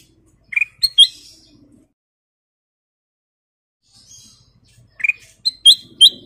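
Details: Sooty-headed bulbul of the golden-coloured kind, kept bird in lively full song with fill notes: sharp bright chirps and short whistled notes in two quick bursts separated by a pause of about three seconds, with a faint low rustle.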